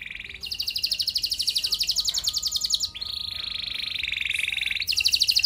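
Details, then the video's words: Canary in continuous song meant to set other canaries singing: long, rapid, buzzy rolled trills, one high tour switching into a lower, steadier roll, then back to a high trill. "Burung Kenari gacor Nembak mantap! Buat Kenar Lain Bakal Langsung Respon Ikut Gacor Panjang"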